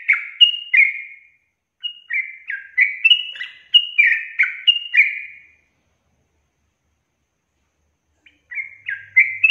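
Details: Sooty-headed bulbul singing long 'ropel' runs that prompt other bulbuls to sing: rapid bubbly whistled notes in bursts, a long silent gap, then another short burst of chortling.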